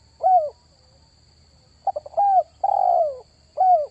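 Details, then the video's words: Spotted dove calling sound for luring wild doves: a lone downslurred coo, then after a pause stuttering short notes, a clear coo, a long buzzy falling coo and a final crisp downslurred note, over faint low hum. "SUARA PANGGILAN TERKUKUR TERBAIK 2023 || SEMUA PASTI RESPON"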